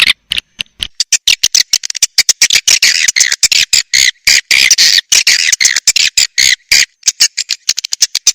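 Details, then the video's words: Swiftlet lure sound meant to attract the birds: a hissy, high twittering chatter chopped into rapid, evenly spaced pulses by frequent silences throughout. "SUARA WALET PANGGIL"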